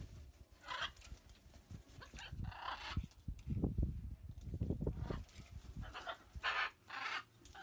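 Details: Wild blue-and-gold macaws visiting a spot where food and water are put out for them daily; short harsh squawks come several times over loud low thumping and handling noise.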